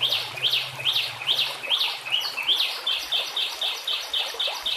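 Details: White-rumped shama training song with water and nature sounds: a rhythmic series of high, sharply peaked notes repeated about three times a second over a hissing background, with a faint low hum early on.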